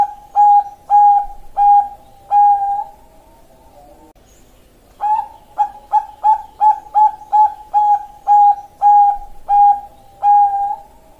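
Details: Bangkok-type zebra dove (perkutut) singing kliuk-style song on 27 February 2023: four firm, evenly pitched cooing notes, a pause of about two seconds, then a longer quick-fire series of a dozen clipped hollow notes on the same pitch.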